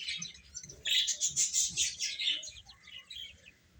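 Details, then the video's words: Young chicks peeping as they eat, a quiet start building into a steady run of shrill, rapid chirps that fade toward the end. "Beautiful Chicks Chirping Sounds | Baby Hen Eating"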